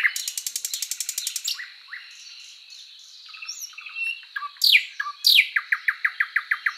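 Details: {'__c': 'Thrush Nightingale song opening with a rapid mechanical rattle of even strokes, a pause of soft notes, then two loud sweeping calls and a regular series of clear repeated pips.'}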